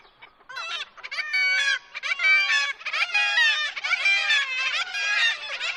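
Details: Black-legged kittiwake colony at Dunbar, Scotland, in full cry: many overlapping nasal, wailing calls rising and falling in a continuous, raucous chorus with brief dips between bursts.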